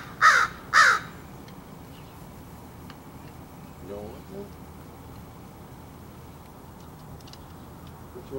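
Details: A crow cawing at something while being hand-fed: two loud, harsh, hoarse caws in quick succession at the start, followed by quiet background and a faint low voice-like murmur midway.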